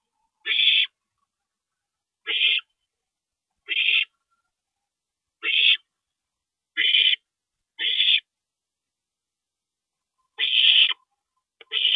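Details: Owl nest at night, April 22, 2012, 2:40 AM, parent stopping by: a series of eight short, hoarse, hissing screeches, repeated every one to two seconds with slightly uneven spacing and silence between.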